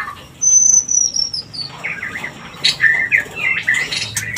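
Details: White-rumped shama song used to stimulate breeding: a long thin high whistle, then rapid varied chirps and sliding notes in the middle range, delivered in short bursts.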